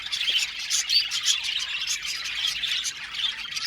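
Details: Aviary flock of budgerigars chattering nonstop, with many high twittering chirps and scratchy squawks layered into a busy, rippling wall of sound.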